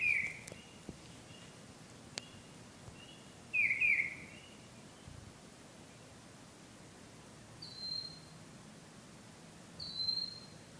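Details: Bird singing love songs at night; scattered high whistles, a double note near the start and two thin steady whistles later, with a few sharp clicks and handling noises.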